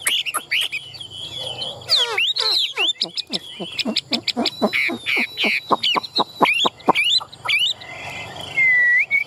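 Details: Chinese hwamei kept in a cage, tame and active with fanned tail and wings held high, pours out a varied, vigorous song of rapid sharp notes, rippling trills and looping whistles, ending on a long falling whistle.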